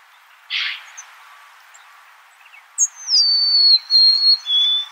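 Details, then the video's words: Golden-crowned sparrow song: a high whistle sliding down into two lower sustained notes, after an earlier short rough burst, over a steady background hiss. "Natural Birds Voice, Bird Natural Sound.Golden crowned Sparrow."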